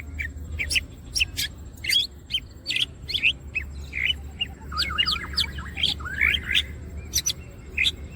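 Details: Wing-opening Greater green leafbird giving energetic gacor song: a stream of sharp chirps and clicks that turns into a twisting, rapid warble of slurred whistles in the second half, with a low hum behind.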